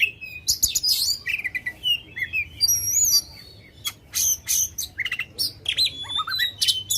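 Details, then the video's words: Oriental magpie-robin, loud song for provoking contest birds: clipped high chirps, a pair of long pure whistles, a brief quiet gap, then renewed fast chattering phrases with rising and falling notes. "kacer gacor ngobra suara lantang ampuh buat pancing emosi kacer kontes"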